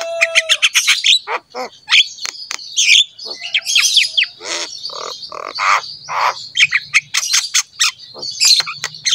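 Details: Energetic song of a jalak kebo (Javan myna) kept in Indonesia, meant as a master recording for training pet mynas: a loud, varied jumble of harsh squawks, chattering bursts and sharp whistled notes, delivered almost without pause.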